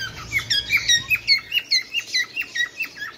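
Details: Crisp, repeated downward chirps from a Bengalese finch, evenly spaced at roughly three per second, with a high squeaky overtone on each note.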